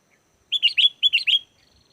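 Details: Sooty-headed bulbul singing in a lure recording for wild bulbuls: two quick phrases, each of three liquid whistled notes stepping up and down, repeated about half a second apart.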